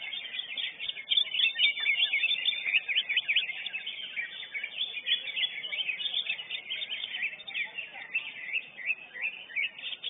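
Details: Champion lesser green leafbird (cucak ijo unyil) at a singing contest keeps up a continuous torrent of high, quick chirps and trills for the whole stretch. Neighbouring contestants chatter alongside.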